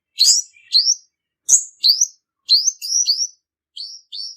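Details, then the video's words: Trapping lure song from a male purple-throated sunbird: a series of thin, rising whistled notes with abrupt, ticking onsets, some grouped in rapid runs of three, separated by short gaps, recorded cleanly with no other noise. "Tiếng chim hút mật họng tím, tiếng chim đực mồi bẫy chuẩn"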